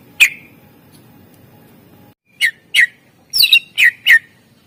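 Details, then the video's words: Greater green leafbird fill-in song from a master recording intended to make lazy birds sing. Single sharp notes separated by a pause, then a cluster of loud chips with a brief buzzy double note. "Cucak ijo gacor SUARA ISIAN masteran untuk pancingan burung yang malas bunyi"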